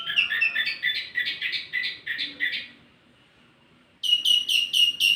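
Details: Wambi mini song for luring and tutoring tledekan: a run of squeaky repeated chirps, a brief pause, then four bright, evenly spaced high notes, with faint low background hum.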